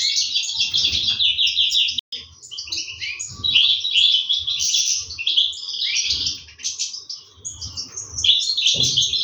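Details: European goldfinch chicks being fed by their parents, recorded in 2023: a dense, continuous mass of high, thin chirps and twittering notes, overlapping with almost no pause, with faint low thumps beneath.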